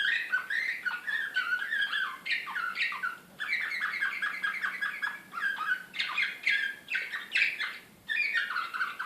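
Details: Canary singing in the Serbian slavujar song style, Belgrade, 2016, described as an excited canary. It delivers rapid rolling tours of bright chirps and trills, with brief pauses near the three- and eight-second marks.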